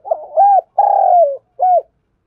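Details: Close, loud spotted dove 'thúc gù' phrase: a short rising coo, a long level coo that sags at the end, and a crisp short final coo, all deep and hollow.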